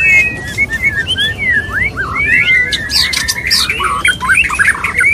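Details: Mating call of a male white-rumped shama (murai batu) wooing a female, a loud dense run of slurred whistles, upward sweeps and harsh chattering bursts delivered almost without pause, with faint background hiss.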